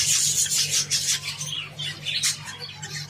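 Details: Java sparrows eating wheat give high, thin chipping notes in quick uneven bursts, about three a second, over a low steady hum.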